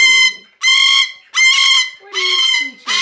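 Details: A 23-year-old female rescued umbrella cockatoo gives loud, harsh, piercing screams, about four in three seconds, each a drawn-out raucous blast with short gaps between.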